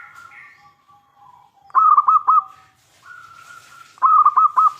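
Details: Local zebra dove, a lively loud-voiced bird used as a lure to make other doves answer: two bursts of rapid, rolling coo notes stand out, with long, faint steady whistled tones between them.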